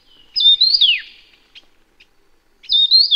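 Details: Taiwan Yuhina, a Taiwan-endemic bird of low to high mountain elevations, gives two bright, high whistled phrases a couple of seconds apart, each with a quick slurred drop; faint soft notes between them.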